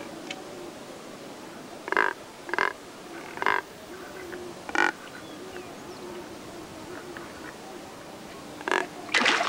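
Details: Neotropic cormorants in a group at Lake San Pablo, Otavalo, Imbabura, Ecuador, resting and drying in the sun while others peck and push each other. Short harsh grunting bursts come in irregular series, five loud ones over about nine seconds, over a steady background hiss.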